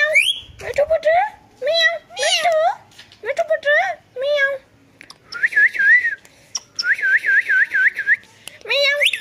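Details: Talkative pet ringneck parrot mimicking a cat's meow and speech: a burst of varied whistled, meow-like syllables, then a quick warbling trill repeated several times, indoors.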